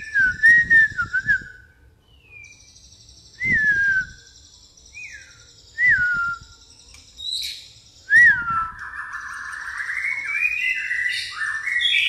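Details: Shama song in pastol style with fighting-sparrow fill: short downslurred whistles spaced about two seconds apart, each with rattling clicks, building into a continuous rising, twittering phrase at the end.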